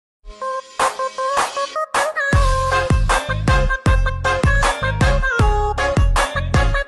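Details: Loud electronic music with punchy beats, deep bass and a repeating synth melody fills the recording, with no animal sound audible.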